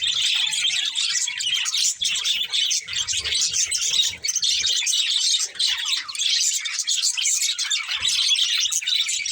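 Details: Budgerigars in steady, busy chatter: high, buzzy chirps and quick twitters layered continuously, with short gaps around the middle and faint low rumbles underneath.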